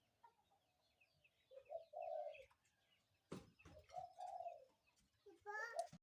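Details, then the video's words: Morning calls of a spotted dove: three low hooting coo phrases spaced about two seconds apart, broken by sharp knocks and clatter close by, with faint chirping of small birds behind. "ນົກເຂົ້າໃຫຍ່ຂັນຍາມເຊົ້າ นกเขาใหญ่ขันยามเช้า"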